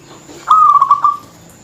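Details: Local zebra dove in full, dense song meant to provoke rivals: a single short cooing phrase of rapid stuttered pulses on a steady mid-pitched tone, tailing off after under a second, over quiet background hiss.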